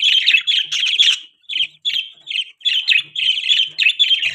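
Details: Loud budgie chirping at close range: strings of quick, harsh, high warbling notes in phrases of about half a second, with short gaps between.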